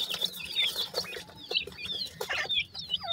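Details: Rapid, piercing peeps from partridge chicks in Pakistan, many voices overlapping, with a few lower chirps and intermittent clicks and rustles.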